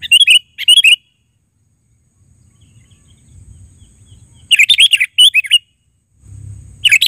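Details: Lively sooty-headed bulbul calling in short bursts of two to four liquid, warbling chirps, separated by several seconds of quiet with a low background rumble.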